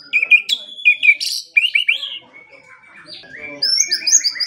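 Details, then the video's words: Morning and evening training song from a white-rumped shama: sharp loud whistles and a harsh burst, a series of rising slurred notes, then rapid high-pitched twittering phrases repeated at the end. "Pancingan dan Masteran Pagi dan Sore Hari Murai Pendiam Langsung Ikut Bongkar Isian | shama bird"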